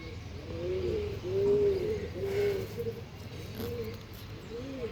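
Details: Soft, rolling coos of Andhra line pigeons: a rising series of gurgling phrases peaking in a clear hooting coo, then quieter arching coos fading out over low hum.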